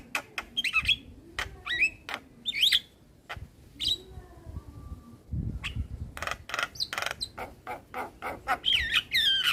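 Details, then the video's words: Varied male Javan myna song used to train a young bird: hooked whistles and sharp ticks, a quiet pause with faint low sounds, then dense clicking and a ringing looped whistle at the end. "Masteran Burung Jalak Muda Dengan Suara Jalak kebo Jantan Full isian"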